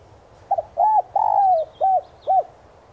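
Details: Decoy spotted dove in the 'son' voice style, cooing to attract wild doves: a faint double note, a rounded coo, a long descending coo and two short arched coos, with thin high chirps of small birds behind.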